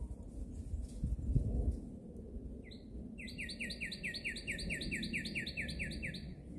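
A bird gives a fast, even series of about twenty bright, slightly downslurred notes, roughly six per second, over a steady low rumble.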